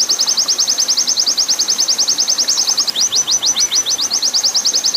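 An Oriental white-eye sings a long, rapid run of high, thin chirps, about three notes a second, with little else audible.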